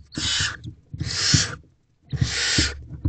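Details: In a nest box on 25 April 2023 at 4:56 am, a female barn owl brings a large rodent to her owlets: three long raspy hissing screeches, each near a second, with light tapping and shuffling underneath.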